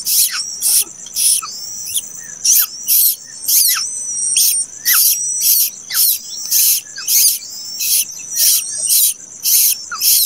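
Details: Late-hatched plaintive cuckoo chick: loud, harsh, hissing bursts repeated about twice per second in an uneven rhythm, with a steady high background hiss between calls.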